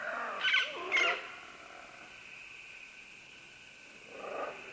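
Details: Green-winged macaws descending along vines, several birds at medium close range: two sharp, harsh screeches in quick succession, a pause, then one softer raspy call, with steady background hiss.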